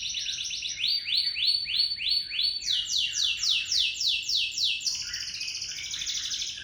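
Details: Local canary delivering its long roll, a lure for other birds; high, sweeping trills of rapidly repeated down-slurred notes, changing pitch and speed in successive rolling sections, continuous and loud.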